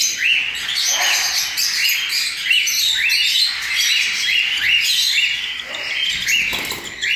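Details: Recently fledged cockatiel chicks fed by hand with formula: a loud, steady chorus of arched chirps repeated about every half second, layered over raspy hissing begging noise.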